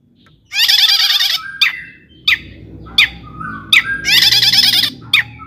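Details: Long-tailed shrike song played to spur other shrikes into singing: two long, rough, buzzy bursts framing short sharp chips and a brief whistle.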